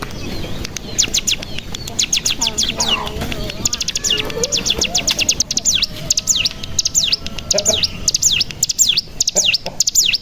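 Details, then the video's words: Mountain tailorbird (cigun) lure song aimed at prompting other birds to sing. Rapid high notes give way to swooping V-shaped whistles over a busy background of lower chatter. "Pancingan Cigun Bahan Agar Bunyi Langsung Ngebren Paling Ampuh"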